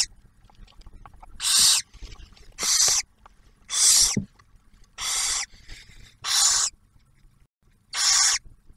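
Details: Barn owl nest near Oak Harbor, Ohio, in Ottawa National Wildlife Refuge, during the first meal of the first hatched owlet, with the male delivering prey and the female sharing it. Six rough, breathy screeches come at irregular intervals of about a second.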